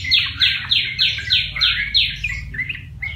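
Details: Caged yellow-vented bulbul, a wild-caught bird tamed after one month in captivity, sings a string of six loud, bubbly repeated phrases about every quarter second, then softer chattering notes over a steady low hum.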